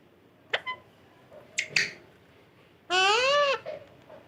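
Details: Parrot: a few soft clicks and short sharp notes, then one loud, strongly harmonic call that rises and falls over about half a second.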